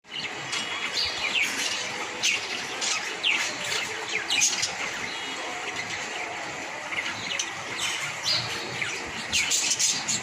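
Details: A breeding pair of budgerigars chatters in a dense stream of high, scratchy chirps and quick rising squeaks.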